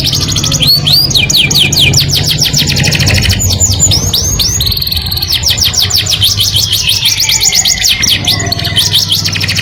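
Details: A canary delivers its melodious song to attract the opposite sex, chaining rapid high trills with brief rising and falling whistles, nearly continuous throughout, over a faint low background hum.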